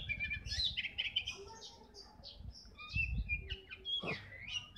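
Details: Oriental magpie-robin, known as kacer bagong, delivering scratchy chirps and brief whistles, then a sharp descending slurred note near the end, with low thumping noise in the background.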